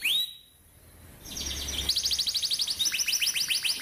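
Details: Canary song meant as a lesson for young canaries. A short rising whistle opens, then after a quiet gap with a faint low hum come rapid repeated down-slurred notes, roughly three or four per second.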